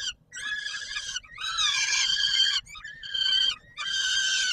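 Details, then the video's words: At the Palace of Culture and Science in Warsaw, 17 July 2022, peregrine falcons scream hoarsely at supper: extended, rough, wavering cries running nearly continuously, with only short gaps. "Sokół wędrowny PKiN Warszawa - Chłopaki wstawać kolacja"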